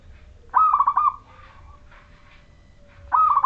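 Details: Local wild-type Majapahit zebra dove singing vigorously, used as a lure to set other zebra doves singing: two clear, rolling cooing phrases, each a high opening note breaking into quick bubbling pulses, about two and a half seconds apart, faint background hiss.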